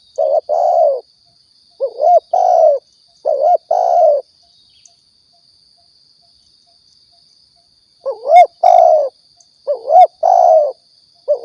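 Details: Spotted dove, locally tekukur or balam, Riau, used as a decoy call for trapping and hunting; low soft coo phrases of a short lead note and a longer drawn coo, a long pause, then the phrase again, over a constant thin hiss.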